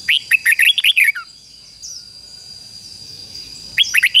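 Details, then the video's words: Singing red-whiskered bulbul kept as a decoy to attract wild birds: a fast run of about seven sweet, bubbling whistled notes, a quiet pause, then another phrase begins, with a constant high hum. "Chào mào mồi hót gọi bổi"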